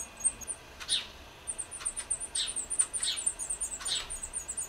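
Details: Black redstart feeding young in Lipník nad Bečvou, Czech Republic: a steady stream of very high, thin squeaky notes with louder, rougher chirps bursting in about once a second.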